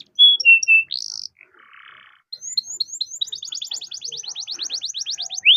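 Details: Long-singing canary used to stimulate other canaries: short whistled notes, a soft raspy patch, then a quick even trill of repeated chirps, roughly four per second.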